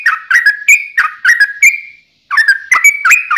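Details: Sooty-headed bulbul, lure track of a fighting bout to make other bulbuls answer; bubbly whistled phrases of falling then rising notes, broken by one brief silence.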